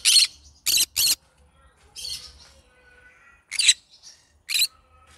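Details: Yellow-sided green-cheeked conure singing, opening with three loud harsh screeches in quick succession, then raspy chatter, faint thin whistled tones and two more sharp squawks.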